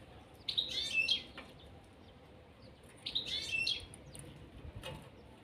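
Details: A caged pair of European serins; two short bursts of high, jingling, buzzy twitter about two and a half seconds apart over quiet background hiss.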